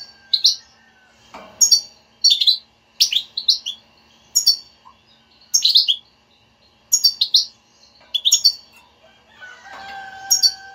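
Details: Lively European goldfinch twittering to prompt a silent bird to sing: repeated high chirpy phrases nearly every second, ending with a steady low tonal hum alongside the chirps.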